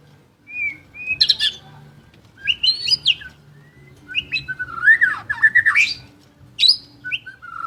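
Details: Lively white-rumped shama song: varied whistled phrases with sliding rising and falling notes, bursts of harsher squeaky notes, pauses between phrases, and a faint low hum underneath.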